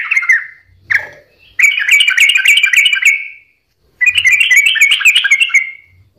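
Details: Sooty-headed bulbul singing energetically, recorded as a lure so quiet or stressed birds join in: a dense, chattering stream of bubbly whistled notes in two long bursts separated by a short silence, with faint low knocks.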